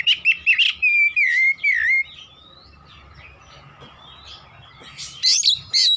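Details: Oriental magpie-robin, actively singing in the nembak style: a quick series of loud whistles and trills for two seconds, a quiet gap, then another loud burst of high notes.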